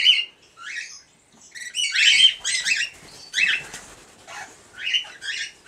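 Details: A two-year-old red-winged parrot pair rearing its first chicks, 20 days old. Loud rasping screeches tumble out in a dense series, with brief gaps, ending in softer scratchy notes.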